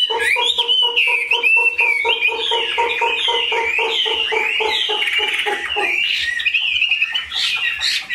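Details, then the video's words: Caged Chinese hwamei pouring out sweeping whistled phrases over a steady, low pulsing tone that repeats several times a second and then stops, after which the whistling continues alone. "Họa mi dáng ngũ trường, bóng bộ cực đẹp, tam hoàng"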